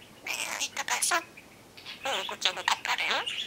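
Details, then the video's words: Singing pet budgerigar, a bird known to copy human sounds such as coughing: quick buzzy, chattering syllables in two bursts separated by a short silence, with some wavering whistled notes. "歌いながら咳をするセキセイインコのめいこちゃん budgie sing coughcoughing"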